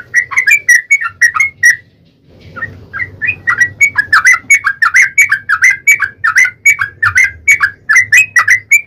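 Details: Lure song of a Yellow-vented bulbul, long rapid 'ropel' singing meant to provoke a reply: a burst of warbled notes, a second's pause, then a long unbroken stream of liquid bubbling notes, steady and loud.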